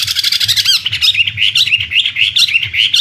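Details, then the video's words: Chinese hwamei contest bird giving a quick burst of repeated notes, one looping upward whistle, then a string of short bright downslurred whistles repeated several times a second. "Suara Burung Wambi (Chinese Hwamei)"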